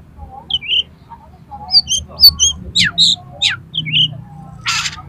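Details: Highly aroused oriental magpie-robin singing to provoke other birds into fighting: short whistled slurs, then loud steep downswept notes and a harsh buzzy burst at the end, over a soft low rumble.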